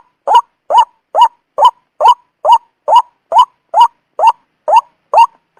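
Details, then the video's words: White-breasted waterhen, recorded as a trapping lure, giving repeated short rasping 'wak' notes that rise slightly, spaced evenly at a little over two per second. "suara ampuh pikat burung wak-wak"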